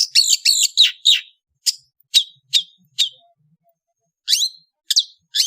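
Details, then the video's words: Indonesian long-tailed bird singing in the afternoon: a rapid run of harsh, rasping high notes, then single sharp downslurred chips at irregular intervals with a silent gap before more chips. "THE SOUND OF INDONESIAN LONG TAILED BIRDS"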